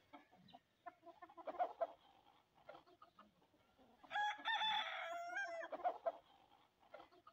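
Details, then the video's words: Hens eating food, pecking at sesame seeds: soft repeated clucks and pecking taps throughout, with one louder drawn-out harsh cackling call around the middle, then more low clucks. "HENS EATING FOOD | HENS EATING SESAME | HEN SOUND | MURGIYAN | مرغیاں"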